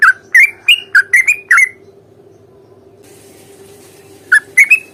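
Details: Sooty-headed bulbul fighting song used to provoke a reply: six quick bright chirps rising in pitch, a silent stretch with faint hiss, then three more chirps, over a low steady hum.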